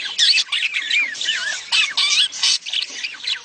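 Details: Mating chatter of budgerigars, used to encourage a hen to lay: rapid warbled squawks with sliding, wavering notes, delivered in clipped bursts separated by brief gaps.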